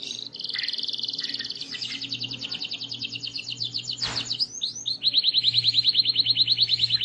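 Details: Vigorous canary song to call other canaries into song: long rapid rolls at high pitch, a sharp downward sweep, then a crisp, evenly pulsed trill repeated many times per second, with a faint low hum underneath.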